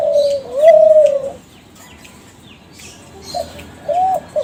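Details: Kelantan-type spotted dove from a champion breeding line, cooing as a lure. One clear, arched coo is followed by quiet, then short fainter coos, over faint high chirping.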